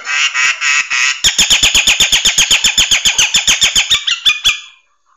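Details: ['Nias hill myna tutor song for training songbirds: a loud harsh note, then a long fast series of sharp, rich clicking notes, about six each second, ending in two whistles.']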